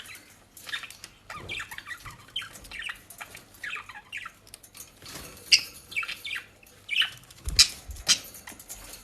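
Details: Pet budgerigars near Den Haag, Netherlands, eating shop-bought dry leaves and grass; steady soft chattering of many quick high chirps with a few brighter notes and light rustling.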